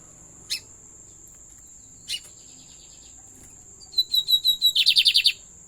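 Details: Lined seedeater singing: two sharp clicks first, then a string of high whistled notes speeding up into a rapid series of loud buzzy pulses, about eight per second, over a constant faint high-pitched whine.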